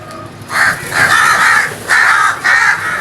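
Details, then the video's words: Crow giving a loud series of four drawn-out, raspy caws in quick succession, each lasting about half a second, close and clear above a low background. "All types of Crows Sounds | Crows loud noise | Crows Crowing"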